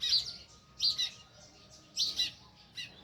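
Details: Four bright, sharp chirps from a sparrow near its village nest, spaced nearly a second apart, each a quick high double note, against a low steady hum.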